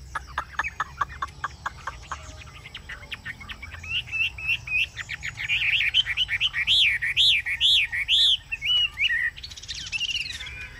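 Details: Chinese hwamei kept as a cage bird, singing in the ngũ trường style: a string of sharp ticking clicks builds into looping whistled notes, then loud, rich repeated upslurred whistles. Faint background hiss.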